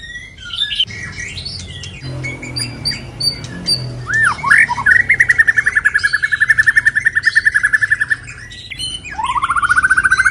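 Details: White-rumped shama singing while moulting: a low hum and scattered notes, then looping whistles and a long fast train of evenly repeated chipping notes, ending in a rising whistled trill.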